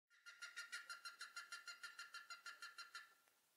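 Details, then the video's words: A plumbeous ibis gives a fast run of about seventeen loud, nasal, honking notes, five or six a second, fading slightly at the end. "Plumbeous Ibis"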